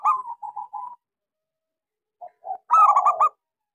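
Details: Lure song of a local zebra dove, small-voiced, meant to coax silent doves into singing: a short run of even, soft coos, a pause, two faint notes, then a louder burst of stuttered rolling coos.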